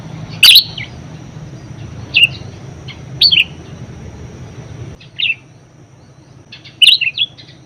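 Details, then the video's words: Parakeet (budgerigar) singing for training other birds, scattered bright chirps and short two-note twitters separated by pauses, faint hum in background. "BURUNG PARKIT PALING GACOR_SUARA MEWAH_COCOK BUAT PANCINGAN & MASTERAN"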